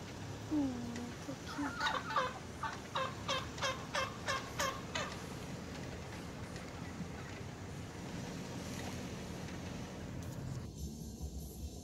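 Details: Urban wild turkeys gobbling: a fast series of rattling, harmonic-rich notes in the first five seconds, then steady outdoor background rumble with no further calls.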